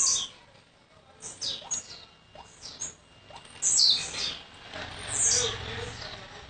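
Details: Young blue-black grassquit from Jacarepaguá in Rio de Janeiro, recently arrived, with scattered high buzzy downward notes, two louder than the rest, among faint chirping and low background hum.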